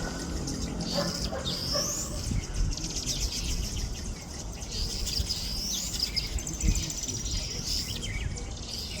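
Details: Weavers building hanging nests near Grand Baie, Mauritius, chatter in a busy overlapping chorus of high, thin chirps and rising squeaky notes, over a steady low rumble of wind.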